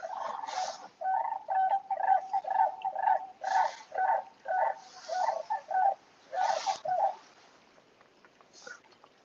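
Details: Probable Sandhill Cranes, heard but not seen, near Antelope Flats Road and Moulton Barns in Jackson Hole, give rolling, rattling trumpet calls in bursts about twice a second for seven seconds, then fade against faint hiss.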